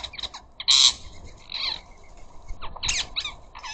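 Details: Ring-necked parakeets at a garden bird feeder, very noisy when they squawk: one loud, harsh, buzzy screech stands out among shorter scratchy chatter notes and rasping calls.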